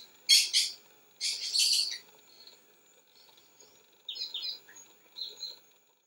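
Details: Maroon-bellied parakeet, a forest bird usually found in flocks: harsh, scratchy bursts of screeching notes, two loud grating calls early then shorter rasping notes after a pause.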